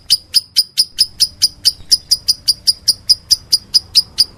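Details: Meloloh lovebird giving sharp, clipped high chirps at a steady pace of roughly four to five per second, each note short and bright, with a quiet background.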